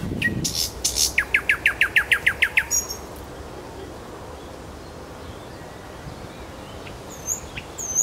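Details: Nightingale in Kuzminsky forest park sings a rapid burst: a few high strokes, then about ten evenly spaced ringing notes repeated several times a second, followed by quiet with faint distant chirps.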